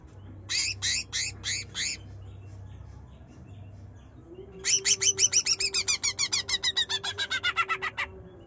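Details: Greater green leafbird, a young bird in transitional plumage, in rapid chattering 'nyerecet' song used to prompt a reluctant bird to sing: a burst of five sharp high notes, a pause, then a long run of about twenty quick downslurred notes over a low hum.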